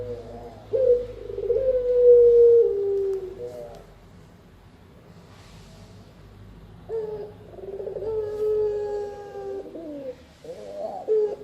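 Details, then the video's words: Spotted dove, used for bird luring and master training; two low coo phrases separated by a quiet pause, each a burred start running into a long mellow note that sinks gently. "Burung Tekukur-Derkuku Enak didengan Ampuh Buat Pikat dan Masteran"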